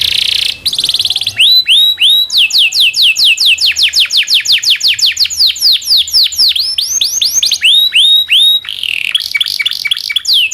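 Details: Local canary giving a long rolling song used as a tutor for magpie-robins, white-rumped shamas and other songbirds: rapid series of high descending whistled sweeps, shifting between repeated tours, continuous and loud throughout.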